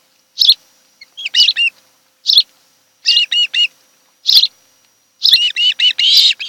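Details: A mated osprey pair on Kent Island, Maryland, recorded by a nest cam in July 2018, alternates single sharp chirps with quick triplets and quartets of bright, upslurred whistles.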